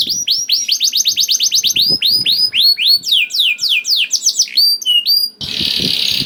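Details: Lure song of a young canary to make other canaries sing: rapid high down-slurred notes in quick trills, slowing to spaced sweeping whistles, ending in a short burst of hissing noise.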